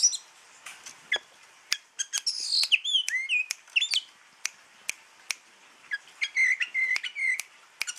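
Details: Oriental magpie-robin of Java giving a quieter run of sweet whistled and warbled notes, mixed with many sharp clicking or snapping sounds scattered through the recording.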